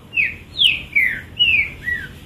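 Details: Green-winged saltator, a tethered captive bird showing its repertoire, sings five loud clear whistled notes, each slurring downward, in a quick steady phrase.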